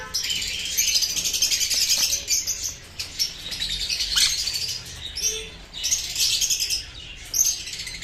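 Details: A semi-adult Sun conure pair, about a year old, gives harsh, buzzy chattering calls in bursts, high-pitched and grating.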